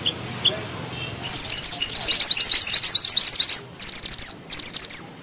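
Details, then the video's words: Mountain bushchat singing vigorously, with dense rolls and sharp delivery: a long run of rapid, high, chattering notes, broken by two brief gaps and then resumed, after a faint call at the start. "Mantenan gunung gacor ngeroll rapat,nembak tajam!!"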